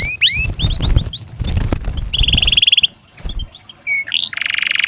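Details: Canary singing as a training aid for lazy canaries; rapid rising upswept notes, a buzzy trill near the middle and a bright rolling trill at the end, with low background rumble.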